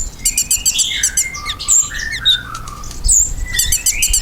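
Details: Ruby-cheeked sunbird song used as a lure to get pet birds singing in reply: thin, high twittering with rapid chips and sweeping whistled notes in bursts, quieter middle stretch, light low rumble underneath.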